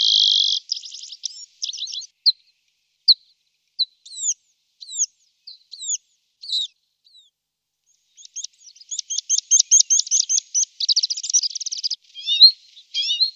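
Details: Tree pipit (Anthus trivialis), a small migratory bird, song in a forest in Poland: high, bright phrases of rapid trills and sharp downslurred notes, building into fast repeated chirps before ending in thin buzzy notes, possibly with white noise.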